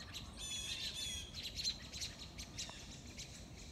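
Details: On 06/02/2022 in eastern North America, blue jays mobbing a red-shouldered hawk give harsh, squawking alarm calls in a ragged, overlapping chorus, several birds calling at once with high chirpy notes mixed in.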